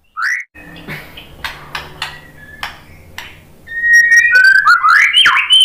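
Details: White-rumped shama song meant to prompt other shamas to sing. A bright rising note opens, then faint clicking notes over soft background hum, before a rich, rapid warbling phrase of climbing whistles closes the passage.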